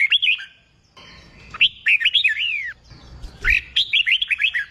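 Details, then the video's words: Red-whiskered bulbul, newly trapped and being trained for singing contests, sings short bursts of liquid arching whistles, pausing between three phrases, with light clicks and thuds behind. "Kích bổi nghe là hót, luyện chim hót đấu, luyện chào mào bổi sổ giọng"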